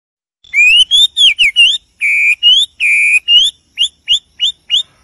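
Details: Wild wambie singing: loud, clear whistled notes, some rising, some flat and held, then a run of short quick upslurred whistles, all in a clean, quiet setting.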